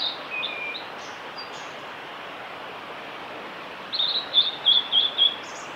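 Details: On 5 May 2018 on the Kanazawa forest road at Lake Miyagase, Japan, a male Blue-and-white Flycatcher sings a few high notes, then a quick run of about six bright whistled phrases, over a steady rushing background.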